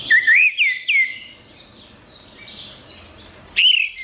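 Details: Orange-headed thrush song, recorded as a master track for training captive songbirds: three loud, slurred whistled notes in the first second, each bending downward. Quieter high warbling follows, then a loud, looping whistled phrase near the end.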